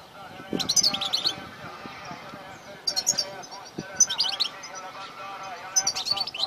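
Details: Male European goldfinch singing in low-pressure, overcast, nearly rainy weather, in a song with takrim and matali' phrases. Four bursts of bright, high, tinkling twitters come at intervals, each under a second long, over a steady lower murmur that may include voices.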